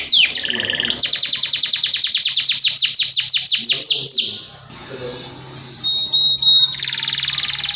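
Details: Canary singing to train young canaries: a brief buzzy phrase, then a long run of fast, high, downward-sweeping chirps, then quieter thin whistles and a closing buzzy trill, with a low hum underneath.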